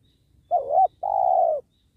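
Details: A single spotted dove phrase recorded while trapping wild doves beside a sacred tree. A wobbling first coo is followed after a short pause by a long, smooth, slightly descending note, low and soft in tone.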